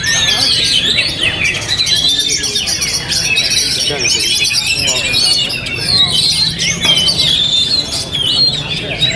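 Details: Oriental magpie-robin in captivity, performing despite strong wind. It gives a continuous high chatter of short, sharp notes mixed with clear whistles, with wind noise beneath throughout.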